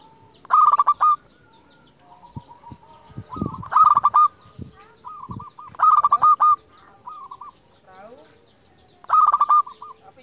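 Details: Calling rivals, a champion local zebra dove repeats loud rough rolling coos roughly every two to three seconds. Fainter dove coos fill the gaps, with a few low knocks.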